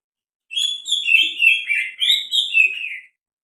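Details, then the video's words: Unusual calls of a greater green leafbird: a continuous chattering stream of varied slurred whistles and chirps lasting over two seconds, pitch wavering up and down, with a couple of faint low taps. "SUARA ANEH BURUNG CUCAK HIJAU"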